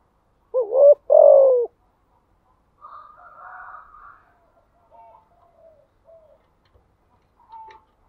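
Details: Spotted dove giving a thúc gù coo phrase: a short, quick coo followed by a longer, falling coo. Softer, fainter bird calls and twitters trail off in the background afterwards.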